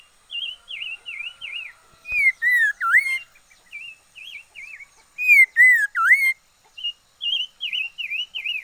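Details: Red-faced liocichla kept as a decoy bird, singing: short wavering whistled notes alternate with loud, rich, swooping whistles that dip and rise, in two bursts around two and five seconds, then more wavy whistles.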